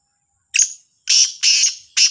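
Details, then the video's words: Black francolin calling in the morning at Sahiwal, dated 18/09/22: a short sharp note, then three loud, harsh, rasping notes in a quick grating series, with a thin steady high whine behind. "کا لا تیتر کی صبح کی آواز | Kala Sindhi Teetar Ki awaz"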